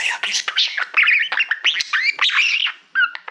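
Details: Pet male budgerigar singing to a mirror-like Silver Play Button award, a fast varied chatter of chirps, clicks and squeaky rising notes with short harsh bursts, almost without pause.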